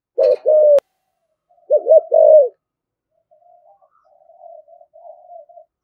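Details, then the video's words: Spotted dove giving a very spirited, vigorous coo in the 'thổ thúc gù' style: two loud, low, warbling coo bursts, each a quick doubled phrase, followed by softer, drawn-out muted coos in a quiet room. "Tiếng chim cu gáy giọng thổ thúc gù cực đỉnh và rất là hăng"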